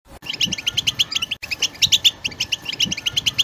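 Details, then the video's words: European goldfinch twittering song (bitbita), played to prompt other birds to sing and break their silence: fast, bright, chirping notes in a dense rapid string, with two brief cuts. "بتبتة حسون الأقوى لتحفيز طيورك على التغريد وكسر الصمت"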